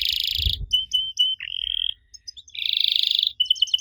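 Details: Canary song used as a lure to get young canaries to answer: a dense buzzy roll, clear whistled notes, a rising slurred note, another long rattling roll, then quick repeated chips, with a soft low thump early on.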